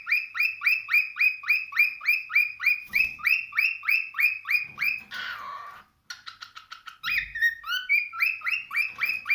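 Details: Cockatiel giving a long series of rising, whistled chirps, about three or four per second, with a brief harsh burst midway, a short pause, then varied whistled notes before the chirping series resumes.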